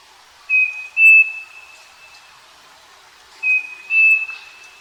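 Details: Two phrases of striped cuckoo song recorded on a farm, roughly three seconds apart, each a brief whistle rising into a longer, higher sustained note, with quiet countryside behind.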